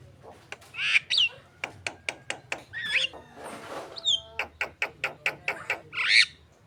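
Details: Javan myna lure song for contest birds. Evenly spaced dry clicks run through the phrase, mixed with hoarse squawks, a falling whistle and a final buzzy, grating burst.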